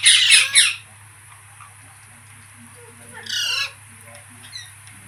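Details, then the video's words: Harsh, overlapping parrot squawks open, then quiet, then one long rasping squawk, with soft low chatter and a background hum. "Parrot Talking Videos | Mitthu Ki Awaaz | तोते की आवाज़ | Parrot Voice"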